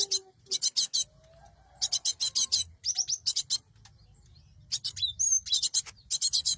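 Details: Cinereous tit (gelatik batu) used as a trapping lure: repeated clusters of scratchy, buzzy, high chattering notes, a few clearer short whistled notes between them, and a faint low sliding whistle early on.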